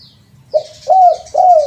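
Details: Spotted dove used as a lure: a short soft coo followed by two longer, fuller coos, with a faint high hiss behind them.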